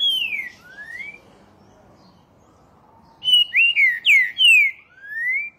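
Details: Green-winged Saltator, a Brazilian songbird, singing rich, clear whistled phrases: a falling note and a rising slur, then after a pause a quick run of loud slurred whistles.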